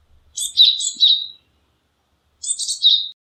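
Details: High-pitched Japanese tit phrases, a longer run of chattering, buzzy notes followed by a shorter repeat. Each ends on a cleaner whistle, with faint low thumps early on.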